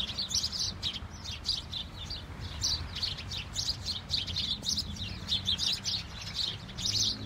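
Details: Flock of house sparrows tweeting during a snowfall, a lively unbroken chorus of bright, high chirps from many birds, with only faint low background noise.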